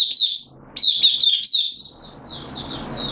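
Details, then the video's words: Hobby-kept oriental white-eye in open song, 8 September 2022, form slightly down: a sharp high chirp, a pause, then a quick string of wavering downslurred notes fading into softer high twitters over low background hiss. "Mata Puteh Kitaro Buka Sing"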